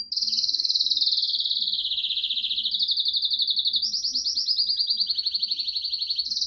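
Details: Portuguese Harlequin canary (Arlequim Português) singing energetically: a continuous rolling trill of rapid, evenly pulsed notes that rise and fall, shifting to a higher-pitched trill partway through, with no pauses and no other clear sounds.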